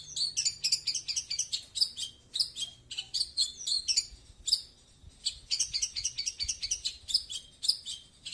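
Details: Long-tailed shrike performing 'tembakan slow' song: dense, fast, high chattering phrases with scratchy and whistled notes, delivered in long bursts separated by short pauses.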